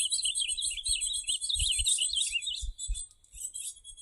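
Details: Ultramarine grosbeak campeada: a steady, high warbling stream of twisting whistled notes without pause, over a background of dull low knocks and rumble.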